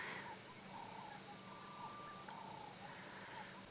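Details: At dawn on a March 2017 African safari drive, as birds begin waking, a Grey-headed Bushshrike gives one long, level, mournful whistle of about a second, faint in the background, over soft chirps and a faint insect hum.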